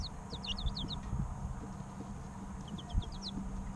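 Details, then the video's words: Chicken chicks about three weeks old peep in two bursts of sharp, high, falling chirps separated by a quiet gap, with low rumbling noise and a faint hum behind them. "Chicks Chirping Sounds 2 - Baby Chicken Sounds Over 20 Minutes - Incubator Sound Helps Chicks Hatch"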